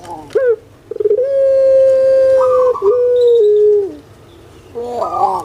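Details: Spotted dove of the puter pelung kind, kept in Indonesia, sings a short rising note, then a long sustained coo that steps down in two stages before fading, ending with wavering rolled notes.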